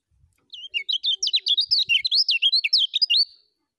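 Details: Lemon-bellied white-eye (kecial kuning) singing in the full 'ngejos' style, a training recording for young birds: a rapid, unbroken run of high, twisting whistled notes lasting about three seconds, with many separate notes packed together over a quiet background.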